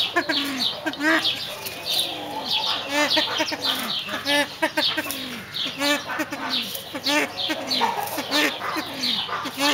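Silver pheasant giving busy, repeated clucking and chuckling notes, roughly one burst a second, with higher chirps and other birds calling behind.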